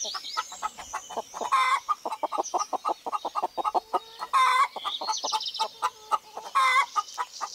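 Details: In spring 2018, chickens including a rooster cluck in a busy stream, broken by three louder, ringing calls. Songbirds twitter in the background.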